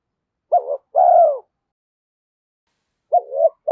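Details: Spotted dove, a decoy bird stimulated to coo quickly, in the thổ voice style: two short mid-pitched cooing notes, then a pause of nearly two seconds, then a third coo and the start of another. Quiet background.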